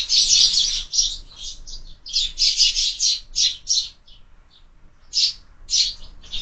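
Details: Loud sparrow chirping at a window feeder in the morning: strong, bright chips in quick clusters, a brief lull mid-way, then more spaced single chirps.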